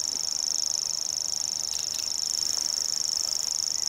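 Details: Common grasshopper warbler at Belvide Reservoir in April 2016, giving its high, dry, insect-like reeling song: a fast, even mechanical trill sustained without a break throughout.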